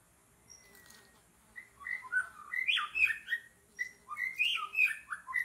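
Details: White-rumped shama singing in forest during bird trapping: loud rich phrases of rising and falling whistles mixed with harsher chattering notes, delivered in quick repeated bursts after a faint long whistle.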